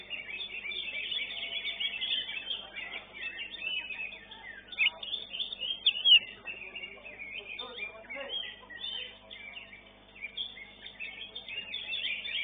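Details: A greater green leafbird placing fifth at a songbird competition gives dense, continuous high warbling, with rapid chattering and whistled phrases, mixed with other birds singing.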